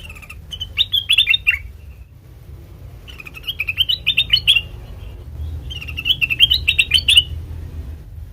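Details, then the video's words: Black-crested bulbul song used as a trapping lure: three bursts of quick, bright, warbled notes, each about a second long and separated by pauses, over a low steady hum. "Suara Asli Kutilang Emas Pancingan Pikat Masteran"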